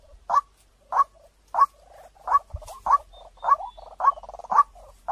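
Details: White-breasted waterhen used as a lure, calling with a steady series of loud, clear notes, roughly one every half second, with rattling purr-like fragments filling the gaps.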